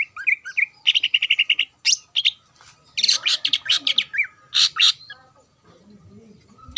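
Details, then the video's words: Greater green leafbird song for provoking rival leafbirds: a fast trill of repeated chips, then harsh buzzy bursts and scattered whistles, with a faint background hum near the end. "PANCINGAN CUCAK IJO GACOR AHLI MEMANCING CUCAK IJO LAWAN AGAR EMOSI"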